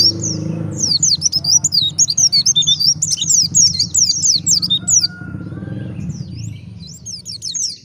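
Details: Wild white-eye song used as a lure to provoke other white-eyes to answer and sing: rapid high twittering of fast up-and-down chirps, continuous for about five seconds, a short pause, then more high twitters. Low rumbling background.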